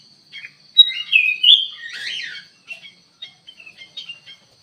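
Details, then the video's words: Black-capped bulbul in an aviary, singing busily: a loud rising whistle leads into rich slurred warbling phrases, followed by scattered short chirps, over a constant thin high-pitched whine. "KUTILANG EMAS GACOR DIDALAM AVIARY"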